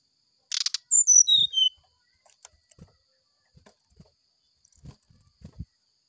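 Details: Brown-chested jungle flycatcher's morning sulingan phrase: a scratchy burst, then four or five clear whistles descending quickly, followed by scattered faint knocks and low thumps.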